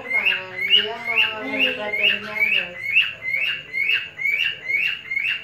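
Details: Male cockatiel in a breeding collection whistling to tease a female: short bright chirping notes repeated about twice a second in an even, steady series, over a lower warbling harmonic sound in the background.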